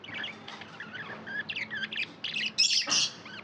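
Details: Pet budgerigars chatter in rapid, harsh high chirps and squawky twitters, growing louder toward the end.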